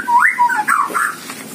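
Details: White-rumped shama in captive breeding aviary giving a brief phrase of clear, fluty whistles that slide up and down, ending in a warbled flourish.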